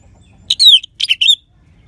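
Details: Brief phrase from a persistent orange-headed thrush with a clear 'crystal' voice, used as a lure for other birds: two quick clusters of bright, descending whistled notes.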